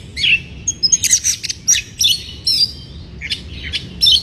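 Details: White-rumped shama singing in breeding condition to stir up rivals: a short, dense run of high piercing whistles and crisp chips, quickly changing notes over a soft low hum.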